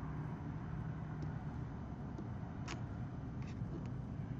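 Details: A constant low rumble like distant traffic fills the night, with a few faint clicks and taps.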